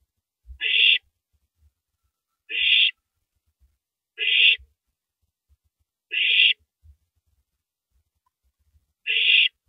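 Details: Owl shredding a large rabbit before gulping it down, recorded at 3:33 AM on 9 April 2012 by a live camera. Five short, rasping hiss-screeches come at roughly two-second intervals, with quiet knocks in the pauses.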